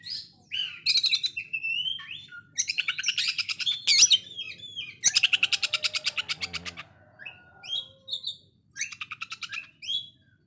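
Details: Rough konslet song from an Oriental magpie-robin, likened to a sewing machine: buzzy rattling bursts mixed with whistled slurs, including a long steady pulsed rattle, then scattered short chirps.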